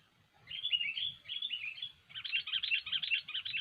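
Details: Sooty-headed bulbul singing as a trapping lure; a few sliding whistled phrases, then a rapid run of choppy chattering notes, over a steady low rumble of background noise.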